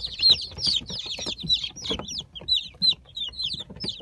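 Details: A brood of Brahma chickens from the last hatch of the season, October 2018, gives rapid, shrill cheep notes, each sliding downward, about three per second, many birds overlapping.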